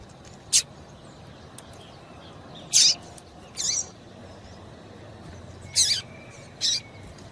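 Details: Short, sharp, high chips from a female yellow-bellied seedeater, spaced irregularly one to two seconds apart over faint background hiss. The calls are used to warm up males for singing.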